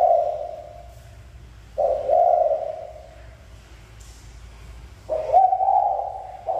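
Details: Spotted dove from a mountain area gives widely spaced low coos, three long notes separated by pauses of two to three seconds. A short hiss comes midway.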